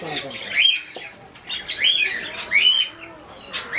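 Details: Cockatiel repeating short grating calls with a thin, bright whistled tip, about every second, with quieter squeaky notes in the gaps.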